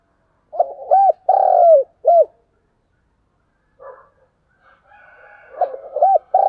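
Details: Lure spotted dove calling to stir up wild doves: two low cooing phrases of looped notes and a long sliding coo, separated by a pause with soft twittering of other birds, the second phrase starting near the end.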